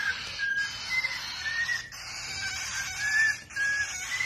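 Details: A cockatiel, teaching baby cockatiels, gives short, clear whistled notes, some rising, repeated over a steady hiss.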